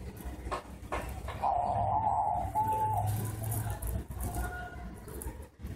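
A diamond dove gives a soft, drawn-out coo lasting about two seconds, slightly wavering in pitch, over a low indoor rumble.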